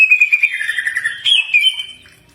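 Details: Master song of a cak ijo that draws replies from other birds: a fast series of rapid whistled notes, falling slightly and then rising into a sustained warbled phrase that fades away.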